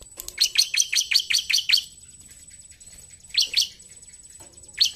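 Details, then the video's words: Fast run of about eight ringing, high chips from a bar-winged prinia in gacor narung song, then a pause and two more short bursts of the same strident notes. "CIBLEK GACOR NARUNG!"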